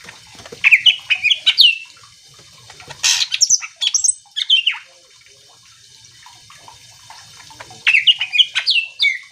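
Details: Greater green leafbird in energetic song played to stir other leafbirds to reply: rapid clusters of sharp, chattering and whistled notes, one harsh burst in the middle, then a quiet gap before another fast phrase.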